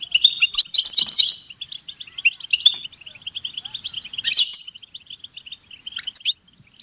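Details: European goldfinch stimulation song, locally called batbata: a bright tinkling burst opens into a long run of fast liquid twitters and chips, with further buzzy flourishes near the middle and end before a brief quiet close.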